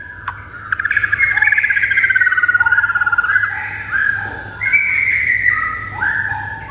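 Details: White-rumped shama song used as training material to provoke pet shamas into aggressive singing: continuous warbled, rich harmonic phrases that slide and waver, with brief pauses between strophes over a steady low hum.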